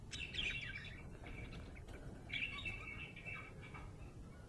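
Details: Happy budgie chirping: bright warbled chirps and short squeaky notes around mid-high pitch, in bursts near the start and again midway, over a steady low hum.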